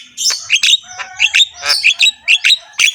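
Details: Harsh-voiced Javan myna singing continuously with head-bobbing, rich in varied fill-in phrases: a rapid series of short, rasping, chirped notes, roughly one every quarter second, unevenly spaced, high and grating.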